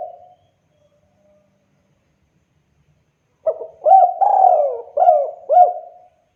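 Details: Spotted dove call, recorded for use as a lure for other doves. A brief tone is followed by about three seconds of silence, then a loud phrase of hooked, mellow coos with one longer falling drawn-out note.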